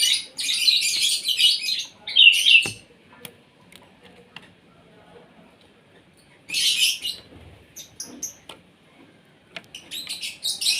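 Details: Asian pied starling at morning feeding time: two bursts of harsh, scratchy, buzzy chatter near the start, a long quiet gap, then more broken rasping bursts and scattered clicks toward the end.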